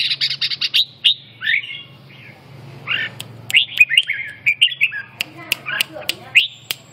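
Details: Red-whiskered bulbul, a caged songbird, delivering fluty warbled phrases with upward and downward sweeps, interspersed with sharp clicks and taps, in rapid bursts through the clip over a faint background hum.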